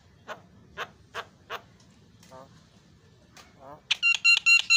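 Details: Javan myna on a songbird tutor recording, birds said to answer one another. Four faint clicking notes and soft warbles lead into a loud, rapid run of ringing harmonic notes at the end.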